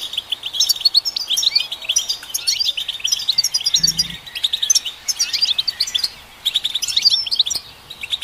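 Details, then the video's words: Goldfinch song meant to stimulate goldfinches: lively, high twittering with liquid chirps and buzzy rattles in quick bursts, a short lull near the end, and a brief low thud midway. "Golden Songbird vocal performance to stimulate the goldfinch"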